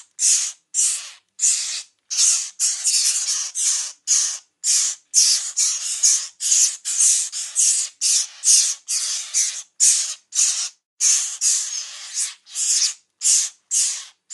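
Mockingbird chicks give harsh, hissing rasps, each a short burst, repeated about twice a second in an uneven, nearly continuous series.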